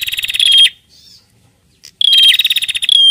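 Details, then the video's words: Female bar-winged prinia calling the male: two dense, rattling buzzy bursts separated by about a second of quiet, each carrying a thin whistled note on top. "PRENJAK BETINA GACOR NARUNG JANTAN"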